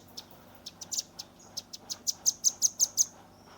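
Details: Young velvet-fronted nuthatch singing a 'tembakan' burst used for tutoring songbirds, recorded on a Redmi 10: sharp, high chips, loosely spaced at first, then speeding into a tight ringing series of about six loud notes.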